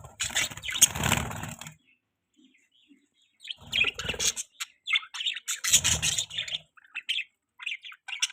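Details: Pet budgies chirping in bursts of busy, scratchy high twitters with short pauses between, the chatter returning three times. A low thudding rumble sits beneath the first burst.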